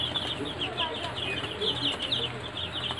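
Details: Sonali (golden) chickens kept on a farm: many birds give short, high, downslurred peeping chirps that overlap constantly, with a low steady hum underneath.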